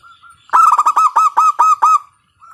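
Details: Local zebra dove with a loud voice, played to set other doves cooing; a soft lead-in note, then a single fast run of about eight bright, clipped coos lasting one and a half seconds.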